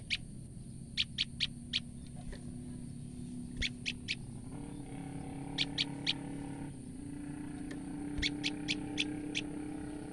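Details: Female olive-backed tailorbird (Orthotomus sepium) giving frightened alarm calls: sharp, high ticking notes in quick bursts of three to five, over a steady low mechanical hum; suggested as a lure for tailorbirds.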